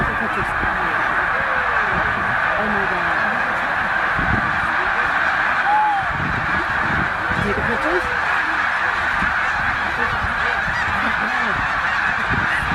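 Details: At Middle Creek wildlife refuge, roughly 100,000 snow geese on their northward migration fill the air with relentless honking, a roaring mass of overlapping calls with occasional distinct arched yelps standing out.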